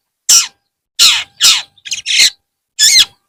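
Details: Long-tailed shrike heard in the afternoon giving loud, broad, rasping notes with downward-sliding tones, five or six in about three seconds, irregularly spaced.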